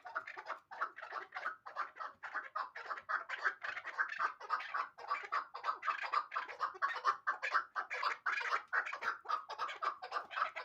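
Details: Hybrid partridge, a young bird from last year, uttering a steady stream of rough, rapid chuckling notes, packed close together and even in loudness throughout.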